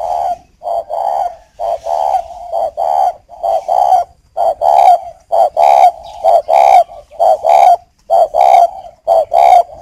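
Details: Caged breeding spotted dove from northern Vietnam, used as a lure bird, cooing to a female: loud, hollow, mid-pitched coos in quick rhythmic groups, repeated steadily about once a second, with no other clear sounds.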